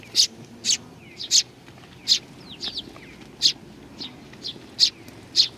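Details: A flock of sparrows coming to be fed at Tenmangu, Nakanoshima, June 21 2020: loud high chirps spaced about every half second to second, with softer downslurred notes between.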